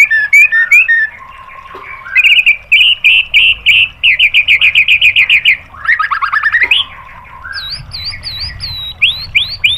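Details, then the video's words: Murai batu (white-rumped shama) masteran song meant to stir other birds into singing: varied phrases of fast repeated chip notes, a long buzzy rattling series, then a sweeping trill and looping whistled notes at the end. "MASTERAN MURAI BATU memancing EMOSI JADI NYAUT BUNYI BONGKAR MATERI TEMBAKAN"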